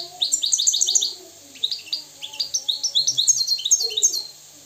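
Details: Purebred free Moroccan European goldfinch singing fast repeated chirping notes in tight series, then a varied twittering phrase of bright rising and falling notes, lively and continuous.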